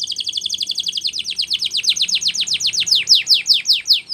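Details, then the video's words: Continuous fast canary trill of descending notes, a training song, slowing slightly and growing louder as it goes. "Canary's Most powerfull Song For Training"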